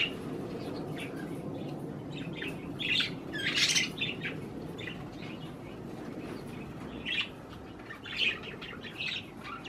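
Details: Several budgerigars feeding on cherry tomatoes chirp in scattered harsh squawks and short notes, with a louder burst of chattering midway and steady low background hum throughout.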